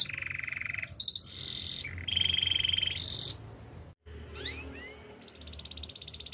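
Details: Canary singing for training, with long, even buzzing rolls at several pitches that step higher, a brief silent break, then a few thin rising whistles and a high rapid trill.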